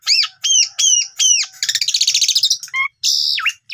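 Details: Song of an Asian pied starling, meant to coax other starlings into steady singing with imitated phrases. Four loud arched two-tone whistles open, followed by a rapid buzzy rattle, a few short notes and a long high note that drops sharply.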